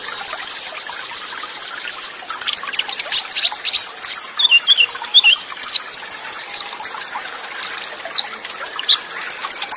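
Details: Konin, the olive-backed sunbird, in full song with fill-ins, cililin bursts and fast rolls: a steady high trill of evenly spaced notes for two seconds, then varied squeaky chirps, slurred whistles and twittering phrases.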